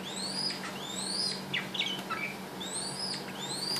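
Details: A tame male Red-whiskered Bulbul, adopted as an orphan, sings during a massage and a dance. A lively run of repeated rising whistled notes is broken by a cluster of quick chirps midway, with a faint steady hum underneath.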